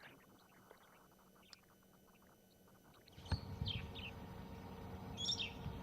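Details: Brown-headed Parrots at dawn on a morning game drive in a South African private game reserve give harsh, squeaky squawks in short bursts over a rumbling vehicle engine.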